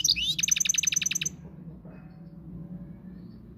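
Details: Moroccan goldfinch giving a quick series of about a dozen identical bright notes in a fast, even trill, followed by low background hum.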